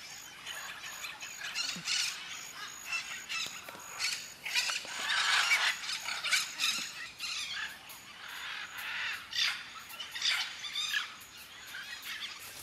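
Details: Macaws calling at a nesting colony in the afternoon in Acreúna, Brazil, nesting in dead buriti palm trunks by a dam alongside parakeets and parrots; a dense chorus of harsh, overlapping squawks and screeches, with rural background noise.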